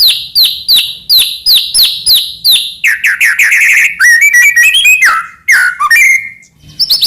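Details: White-rumped shama song meant as a master for training other shamas: a run of repeated high downslurred whistles about three per second, shifting into rapid rolling trills and sharp slurred whistles, loud and clean.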